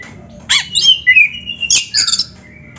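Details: Oriental magpie-robin song used as a training model for other magpie-robins: a sharp rising squeak, then clear slurred whistles gliding down around mid pitch, followed by bright chattering notes and a short buzzy phrase, over a faint low hum.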